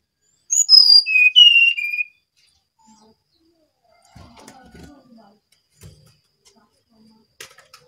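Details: Brown-chested jungle flycatcher singing vigorously: a single clear whistled phrase of three notes stepping down from high to lower pitch, followed by faint clicks and soft knocking.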